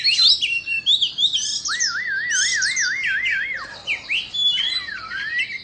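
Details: Singing while dancing, an Indo white-rumped shama mixes quick high chirps with a long wavering, warbled whistle that rises and falls rhythmically for about two seconds, then more varied slurred notes.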